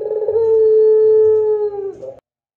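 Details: Single long coo from an Indonesian pelung Barbary dove, the clear drawn-out song used to train other doves; a steady low tone lasting under two seconds, dipping at its close, then silence.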